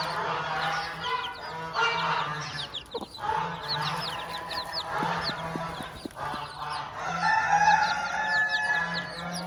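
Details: Farm hen with her chicks: a dense stream of short, high, downward-sliding chick peeps over lower, irregular clucking, with a steady low hum underneath and brief quieter gaps.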